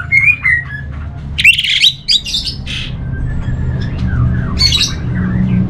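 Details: Orange-headed thrush, kept as a cage bird, singing in varied bursts: a high whistled phrase, then harsh squawky notes and scratchy chirps, separated by short pauses over a steady low hum.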